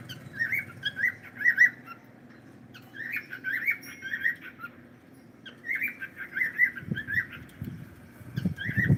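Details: Pet cockatiel on a live stream calling in bursts of quick warbled chirps every few seconds, with knocking and handling thumps toward the end.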